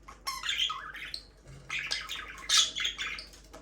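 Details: Caged budgies, a breeding pair, in a soft, continuous warbling chatter of buzzy chirps and short whistled slides, with a louder squawky burst midway.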